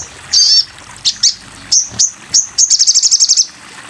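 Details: Sogon bird in a masteran (tutor) recording: high wavering notes and sharp chips, ending in a fast run of clipped, very high trilled notes.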